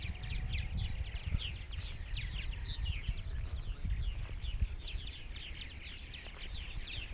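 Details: Purple martins at a large colony in Rainsville, Alabama, with about 920-930 pairs the previous year: a dense, continuous chorus of many overlapping chirps and gurgling notes, backed by steady low wind rumble.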